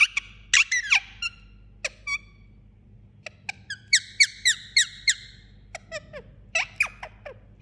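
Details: Sleeping pet Indian ringneck parakeet vocalising indoors: sharp squeaky chirps and short harsh squawks, some downward-sliding, then a fast series of clipped bright notes, spaced irregularly with quiet gaps; steady low room hum underneath.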